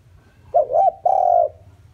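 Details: Spotted dove acting as a decoy to call in wild birds: a warbling double coo slurred into a drawn-out, even coo that fades at the end, soft hum below.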